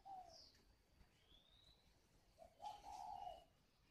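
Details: Spotted dove at a bird garden in Ba Vì, Hanoi, Vietnam, cooing: a brief low hoot, a pause, then a longer mellow rolling coo. Faint high whistles from other birds in the background.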